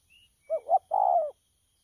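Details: Caged spotted dove recorded 12 October 2019, giving a short low coo phrase: two quick hollow notes, then a longer warbling coo, with a faint high whistle at the start.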